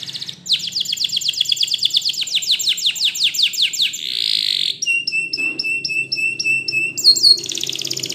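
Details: Belgian canary rambling song: a long run of rapid descending whistled sweeps, a brief rushing buzz, then a row of evenly repeated short notes above a steady lower tone, ending in a bright trill.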